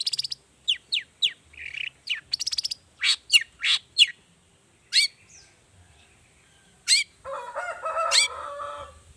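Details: Long-tailed shrike 'toet toet' variation lure, played to set other shrikes singing. A fast series of sharp chirps and short whistles, a pause, then two single notes and a drawn-out nasal, rasping phrase at the end.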